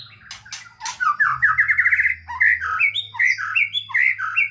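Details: White-rumped shama singing as a training lure for quiet shamas: a few sharp clicks, then a fast series of repeated slurred notes climbing in pitch, followed by varied chattering whistles, low hum in the background.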